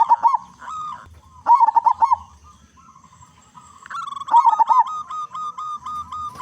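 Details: Loud local zebra dove singing actively as a lure for other zebra doves; three rapid, rolling phrases of staccato cooing, mixed with repeated nasal, reedy notes that fill the gaps.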